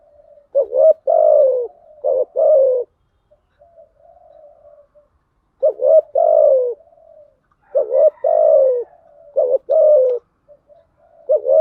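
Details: Spotted dove lure recording, a female said to stimulate males, with thúc gù and gáy gọi styles: three bursts of quick stuttered notes, each ending in a long falling coo, with soft low murmurs between.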